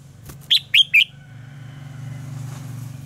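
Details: Red-whiskered bulbul fighting song used as lure audio for training birds to sing: three quick, bright, slurred whistled notes in a short burst, followed by a low steady hum.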